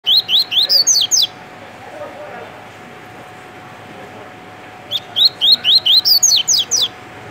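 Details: A captive double-collared seedeater in Rio de Janeiro, Brazil, sings two quick bursts of about eight high, sharp notes, each lasting just over a second, with a steady low hum behind.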